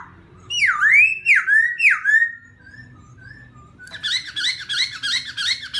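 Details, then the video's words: Laughingthrush singing to provoke another bird, opening with three loud swooping whistles that fall then rise, then softer fading notes, followed by a rapid buzzy chattering run of repeated high notes. "khướu kích bổi"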